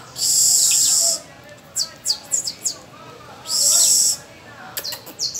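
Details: Canary kept as a tutor for young pupil birds, singing on the first of May; a long intense high trill, a run of quick sharp chirps, a second trill, then more chirps.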